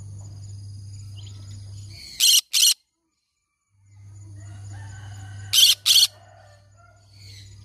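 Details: Green-cheeked conure making loud grating squawks, delivered as two doubled bursts about three seconds apart, over a constant low hum with soft twittering between calls.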